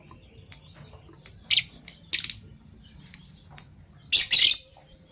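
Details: Fischer's lovebirds kept as pets, PB violet and Euwing gold opaline colour forms, in the morning: scattered high clipped chirps every half second or so, ending in a harsher, noisy burst of chatter.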